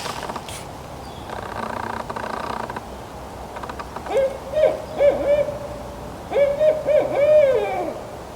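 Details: Barred Owl hooting in forest at Wasaga Beach with no answering call, perhaps seeking its mate: after a few seconds of rustling and handling noise, two rhythmic series of deep hoots with wavering, drawn-out endings.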